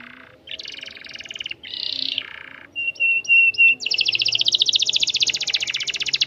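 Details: Canary singing energetically with a long roll, used as a model song for training young birds: buzzy chattering phrases and short bright whistles lead into a long, fast, even trill of rapid repeated notes.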